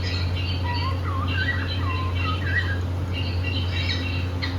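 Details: Happy indoor cockatiel pair: a run of short swooping chirps and wavy whistled notes, then a brief gap and more chirping, all over a steady low hum.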